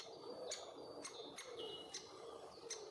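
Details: Great spotted woodpecker at a nest tree hole with bees, young male and mother, Puszcza Bydgoska forest, Bydgoszcz, Poland, summer 2023: five sharp, abrupt clicks spaced about half a second apart, with thin whistled notes from other birds between them.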